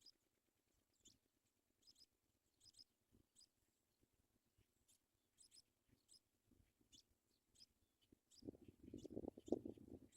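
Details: Paddyfield pipit at its nest while chicks are being fed: faint, thin, high cheeps with a downward slur, repeated about once a second. Loud rustling near the end.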